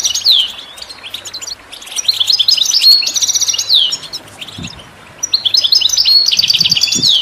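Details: European goldfinch song for bird training, delivered as lively tinkling phrases with buzzy rattling trills and downslurred whistles, two main bursts separated by a short lull; faint low thumps.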